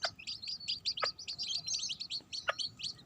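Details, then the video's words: Mother hen with her baby chicks: a dense, continuous chorus of high, thin peeps from several chicks overlapping rapidly, with a few sharp clicks or taps and quiet low background rumble. "Mother chicken with baby chicks."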